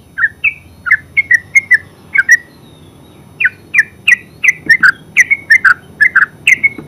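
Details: Yellow-vented bulbul, called terucuk in Javanese, singing in the continuous ngeropel style: short bubbly gurgled notes, many with a slurred up-and-down shape, delivered in quick bursts with a brief pause near the middle.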